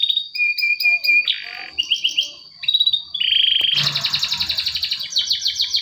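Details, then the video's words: Male canary song used to trigger silent young canaries: scattered clear whistles and short buzzes at first, then a sustained loud rattling trill with repeated pulsed notes to the end, faint low hum beneath. "Pancingan kenari macet bunyi || pancingan kenari paud"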